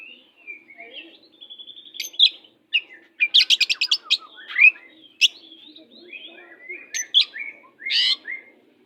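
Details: Feisty oriental magpie-robin song used as a master recording for hesitant birds: sweet whistled phrases broken by a rapid buzzy trill, sharp chips and rising slurred notes, delivered continuously with little pause.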